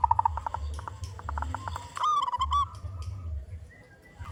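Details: Local zebra dove singing loudly as a lure for other zebra doves. Quick short pulses open, then a single rolling, bubbling coo phrase midway, with a low hum underneath.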